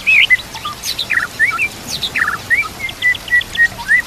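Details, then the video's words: White-rumped shama, called murai batu, singing on a tutor recording with nature sounds and trickling water; harsh burry notes early on, then a string of short, evenly spaced whistles repeated about every quarter second. "Putar Suara ini Setiap Pagi dan Sore, Agar murai batu makin Fighter"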